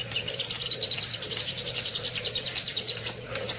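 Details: Little spiderhunter master song for tutoring songbirds: a steady, fast run of about three sharp high notes per second, evenly spaced, then brief pause and a few higher chips.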